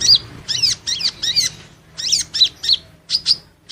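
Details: Van Hasselt's sunbird (Leptocoma sperata) in training song: a steady series of about ten loud, high, sharply arched chirps, roughly three per second, against faint low background hum.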